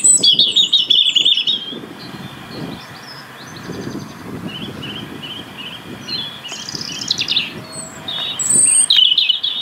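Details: UK European robin, which keeps up song through winter for territory: high trilling bursts at start and end, between them thinner short whistled notes and faint chirps over a low background hum.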